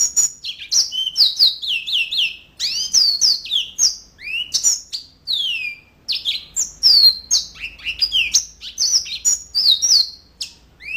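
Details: Continuous song of a yellow-fronted canary, with fast strings of high, sharply falling whistled notes and rising chirps in dense, tumbling phrases, the notes clustered closely with hardly any break.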